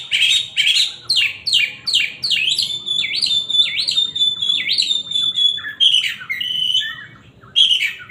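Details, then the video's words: Loud Oriental magpie-robin song, opening with a rapid series of repeated slurred whistles, then longer sustained clear whistled notes and varied short phrases near the end. "siulan kacer ini kenceng"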